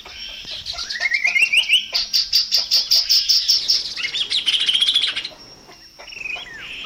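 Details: Long-variation song of the chestnut-capped babbler (tepus gelagah): a quick rising ladder of whistles, then a long run of evenly pulsed sharp notes about three per second, a shrill rising trill, and a final slurred whistle.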